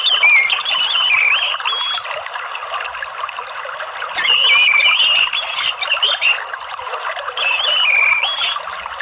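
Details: Orange-headed thrush song in the morning, used as a lure to stimulate other birds to sing: varied warbled phrases in bursts with pauses, over a constant loud hissing background.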